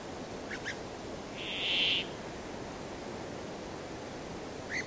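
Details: Brambling song: a grating, even buzz of about half a second between faint short chirps, over a steady background hiss.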